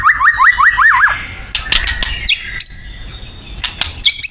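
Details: White-rumped shama of Thai origin singing isian. It opens with five quick rising whistled notes in a row, then clicks and high, thin whistled notes.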